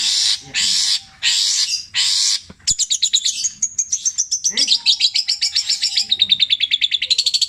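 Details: Caged Javan long-tailed shrike delivering long, repeated mimicry of tengkek buto, kuntilanak and greja, petir version: four harsh buzzy blasts, then a quick ticking series of high notes that slowly falls in pitch.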